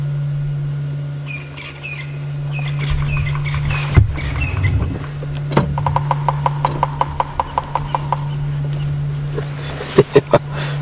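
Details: Bearded woodpecker in Sabi Sand or Mara safari country, knocking a territorial quick, even run of sharp taps, then a few louder knocks, over a steady vehicle engine drone and faint chirps from other birds.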